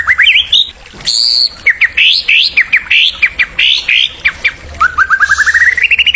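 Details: Singing white-rumped shama, recording meant to stimulate young birds: quick upslurred whistles, a sustained high note, then a series of separate rising whistled notes and a closing accelerating rising trill.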